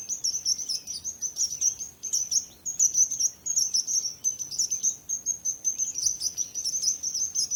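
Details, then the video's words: Continuous high twittering from singing birds, quick chirps repeated several times a second with short gaps, over a faint hiss of background noise. "Relaxing Birds Chirping Sounds | Relax With Singing Birds Sounds"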